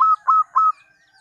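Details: Local zebra dove lure song meant to set other doves answering: three clipped, flat-pitched coo notes in quick, even succession, followed by silence.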